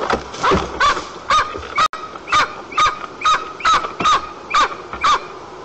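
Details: Male white-tailed eagle at dusk, 6:01 p.m. on 29 August 2022, Almetyevsk region, Tatarstan, Russia, calling loudly while approaching and landing at his nest: a steady series of sharp, ringing, slightly downturned yelps, about two a second.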